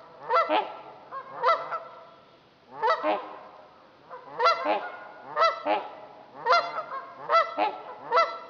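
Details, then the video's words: Several Trumpeter swans on Dixon Lake, Itasca County, Minnesota, giving loud, nasal, horn-like honks, single or doubled, roughly every second, calling in turn. "Trumpeter Swans"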